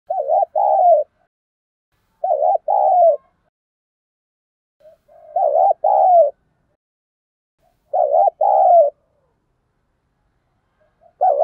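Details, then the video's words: Spotted dove kept as a decoy, calling to provoke wild doves into fighting; loud two-part husky coos repeated four times, about every two and a half seconds, each a short burst then a longer note, silence between. "Chim Cu Mồi thúc đấu, cu gay kich boi nhanh noi"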